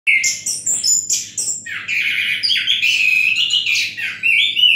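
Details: Orange-headed thrush singing in a relaxed way, shown in the "gazing at the sky" posture: a rich, varied stream of whistled and chattering phrases that jump between high and low notes with barely a pause, over a faint steady low hum.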